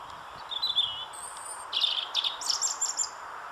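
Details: European robin delivering a short high-pitched phrase: a thin drawn-out whistle, a very high sustained note, then quick jumbled twittering bursts, against a steady soft hiss.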